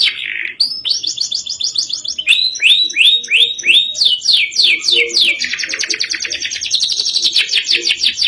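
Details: Canary song in the ngerol nembak style: a bright high trill, then a run of loud rising slurred notes repeated about three per second, ending in dense rolling, chattering trills.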